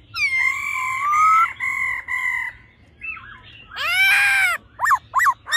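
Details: A male laughingthrush sings in a mature wild voice while a female calls, used to stir males into quick song. Three drawn-out harmonic whistles, a brief warble, a loud buzzy swelling note, then three sharp downslurred chips.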